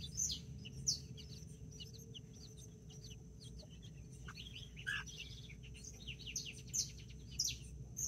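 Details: Backyard chickens in Colombia, 24 October 2024: nine chicks (mini and Brahma) with two mother hens while a rooster checks on them. Sharp high chirps come in scattered bursts over a constant low rumble.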